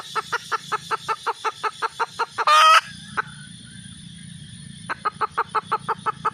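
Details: Red junglefowl hen giving rapid clucks, a loud raspy squawk, a two-second pause with low rumbling, then a fresh burst of clucks.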